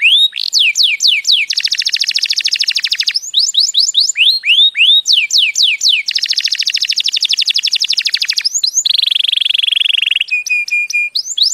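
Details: Canary song meant to teach young canaries and stimulate mating: bursts of looping, swooping whistles alternate with dense fast trills, followed by a smooth buzzy roll and a row of short, flat repeated notes.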